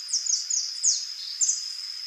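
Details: Rufous-tailed jacamar (Galbula ruficauda) uttering a handful of high, steeply falling notes, some run together, followed by a short pause and one brief sharp note, against a persistent high steady tone.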